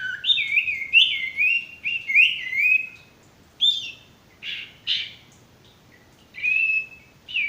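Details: Sirtu male song for training stressed or silent birds: a series of bright, looping whistled phrases repeated about every second, followed by short scratchy notes and more whistles.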